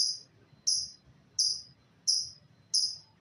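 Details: Lovebird giving short, sharp, high chirps that fall quickly in pitch, repeated evenly about every two-thirds of a second, five in a row.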